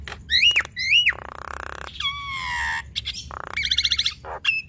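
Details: Male and female Javan myna in duet, giving arched whistled notes, long harsh nasal rasps, a falling whistled slur and a rapid stuttering trill.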